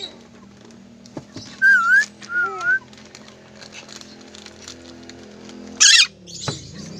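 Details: Tame lorikeet gives two brief clear whistles, the second a dipping wavy note, then a sharp harsh burst and background clatter over a low hum.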